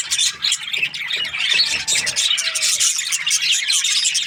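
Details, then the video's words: Continuous shrill budgie chatter: many overlapping squeaky chirps and trills blending into a loud, unbroken flock babble, with a faint thin tone partway through. "Budgies parrot chirping sounds"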